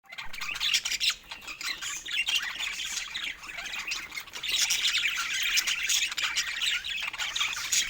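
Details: Pet budgerigars kept together, chattering in a dense, continuous high warble of squawks and chirps that swells and dips, loudest in the last three seconds.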